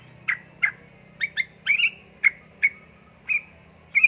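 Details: Female sooty-headed bulbul in breeding condition calling a male, in the ngeriwik ropel style: short bright chirps near mid-high pitch, spaced about every half second, some doubled, over a faint low hum.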